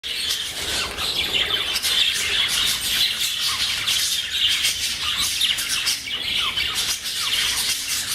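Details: Female English budgerigar playing on her swing chatters in a steady stream of bright, scratchy warbles and squawks.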